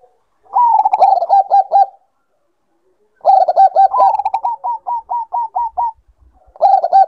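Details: Bangkok-line zebra dove calling to raise breeding condition: a rapid trilled coo run, a pause, then a long phrase that rises and continues as about eight evenly spaced, clipped notes, and a final burst starting at the end.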